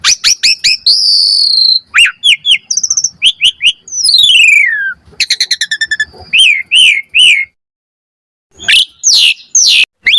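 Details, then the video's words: Asian pied starling singing vigorously as a lure to provoke an answer and as a tutor recording: quick clicks, a long high whistle, a steeply falling slurred note, rattling trills and repeated bright whistles, with a pause near the end. "Pancingan Jalak Suren Gacor Cepat RESPON Auto NYAUT Buat Masteran Suara Burung Jalak"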